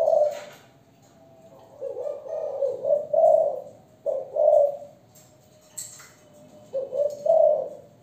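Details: Cooing of a young female Malaysian spotted dove, thổ song style: a soft opening note, then a faint sustained hum, followed by bursts of husky low coos, some rising then dropping away.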